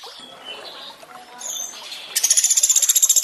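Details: Sunda pygmy woodpecker, a training recording for sogon with water sounds: trickling water and faint chirps first, a brief high note, then a fast, evenly pulsed high rattling trill for over a second.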